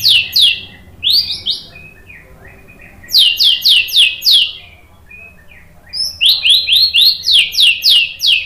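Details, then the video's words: White-rumped shama song, played to draw other shamas into singing: bursts of sharp, high, downslurred notes repeated rapidly in three loud clusters, with brief quieter pauses between them and a faint low hum underneath. "OCEHAN MURAI BATU BIKIN NYAUT JADI GACOR NGEPLONG BONGKAR MATERI ISIAN ¦ PANCINGAN MURAI"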